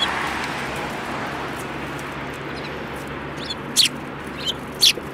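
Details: Sparrows, including one with a yellow beak, on 29 January 2018; a few sharp high chirps arrive in the last seconds after a quiet stretch, with a constant background rumble.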